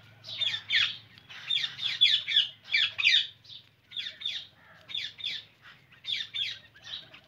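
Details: Indian ringneck parrot giving sharp, high squawky chirps in quick pairs and short bursts, grouped into clusters separated by brief pauses, with a faint low hum underneath.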